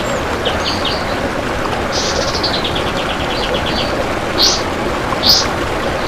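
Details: Kapas tembak recorded as training song for other birds: separate short high phrases, a descending run of quick notes, and two loud sharp chirps near the end, over a quieter hiss.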